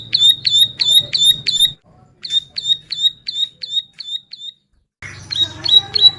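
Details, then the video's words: Bar-winged prinia singing strongly, recorded for masters and lures: short runs of high, sharp, repeated notes separated by silent breaks, with some low background noise. "Ciblek Sawah Gacor Cocok Buat Masteran dan Pikat"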